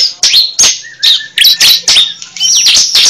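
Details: Cible call used to attract birds: a few loud, high, squeaky chirps and whistled slurs, spaced irregularly over about three seconds.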